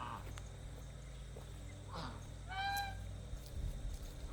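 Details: Domestic geese in their pen while water is changed and feed given: a single loud, nasal, harmonic honk near the end, with fainter calls earlier over a steady low hum.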